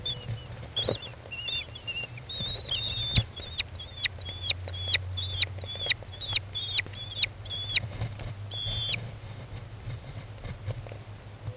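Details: American kestrel mother feeding chicks in a nest box, chicks about 15 days old, 20 May 2011 at 13:54; short, high, downward-sliding calls repeated about twice a second, with a few knocks and a steady low hum.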